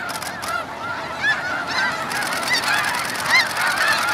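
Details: Snow geese blasting off early at Hagerman NWR: a dense mass of high, yelping honks from a huge flock, overlapping constantly, with rushing wingbeat noise at the start.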